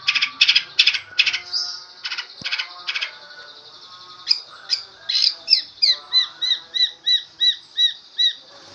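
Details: Long-tailed shrike singing actively in a varied song of many phrases, the telolet horn style: harsh buzzy rapid bursts, then clear whistled paired notes repeated about twice per second.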